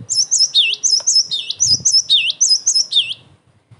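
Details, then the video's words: Emotional, full-voiced cinereous tit song used as bait to make other tits answer and as a tutor recording: a steady run of high piercing notes alternating with lower dipping whistles, about a dozen phrases without pause. "TIDAK ADA SEMENIT GELATIK BATU MANAPUN PASTI NYAUT"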